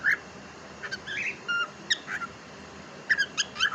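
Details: Pet cockatiel talking. Scattered short, bright, harmonic chirps and clipped syllables at irregular intervals, with quiet gaps between them and a faint steady background hiss.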